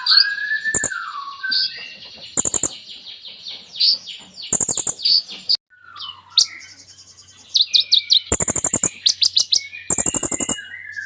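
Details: Brown-throated sunbird in full song packed with imitations, used to prompt silent sunbirds to sing: varied high whistles, sliding notes and trills broken by loud buzzy rattling bursts, with a brief pause mid-phrase.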